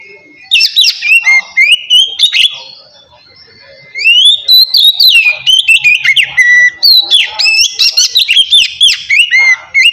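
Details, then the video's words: White-rumped shama (kacer) in relaxed 'ngeplong' song style, used to provoke lazy birds into singing: loud, varied whistled phrases with rising and falling slurs and quick buzzy notes, bursts separated by a brief pause near the middle. "kacer ngeplong santai ampuh buat mancing kacer malas binyi agar cepat rajin bunyi"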